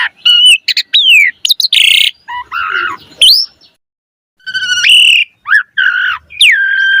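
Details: Asian pied starling (jalak suren) in energetic full song, used as a lure to prompt other starlings to sing: loud, varied bursts of clear whistles, rising and falling slurs, and harsh buzzy rasps, with a brief pause midway.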